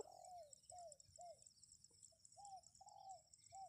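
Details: Spotted dove cooing, used to draw wild birds into responding: a faint series of seven soft, slightly descending coo notes, about twice per second, over steady background hiss and a high electronic whine.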